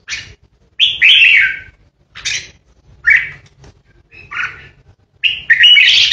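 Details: Red-whiskered bulbul, a captive lure bird, giving 'ché' song meant to intimidate rivals: loud, bubbly slurred phrases, one long descending warble near the start, then shorter chirpy notes and a rising closing flourish.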